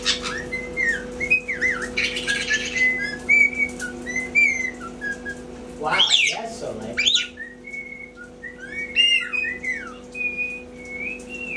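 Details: Pet caiques kept indoors, one trying to learn the phrases "come here" and "do poopy"; clear whistled notes, some rising and falling, with a few harsh squawk bursts, alongside a steady electrical hum.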